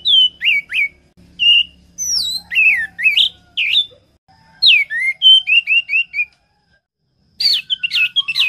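Orange-headed thrush singing rich, varied phrases of clear whistles, slurred notes and quick trills, delivered in bursts with short pauses between.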